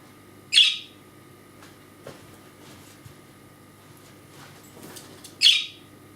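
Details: Pet budgerigar with injured wings, kept in a small cage by a computer, demanding constant attention, gives two loud, harsh, scratchy "kärrö" shrieks about five seconds apart; faint room noise between them.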